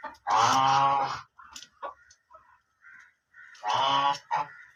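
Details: Black ducks giving two long, loud, drawn-out quacks with a rough, buzzy tone, separated by quieter nasal murmurs.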